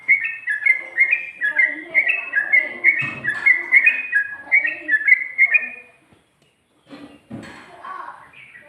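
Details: Sooty-headed bulbul with ropel, ngikluk-style song: a quick run of clear, warbling whistled notes for about six seconds, then near silence with a few faint, softer notes at the end.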